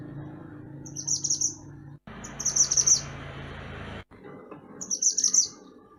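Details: {'_': 'Mantenan gunung songbird singing, a master recording for training songbirds: three short, high, chattering twittered phrases about two seconds apart over a steady low background hum.'}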